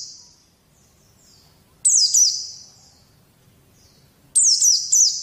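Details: White-eye song for training young birds to sing: two bursts of very high, sharp chittering whistles with quick downward slurs, separated by a long near-silent pause, with faint trailing notes at the start.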